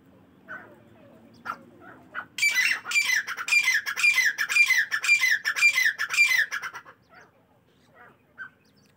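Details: Partridges calling in the morning: after a quiet, scattered start, a loud, rapid series of harsh, ringing notes runs for about four seconds, nearly two per second. It then trails off into a few faint calls.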